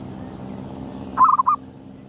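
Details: Perkutut, a zebra dove of gedong mengo style used as a lure, singing at sunrise; a single short burst of soft, rolling coos ending in two rounder notes, with faint low hum behind.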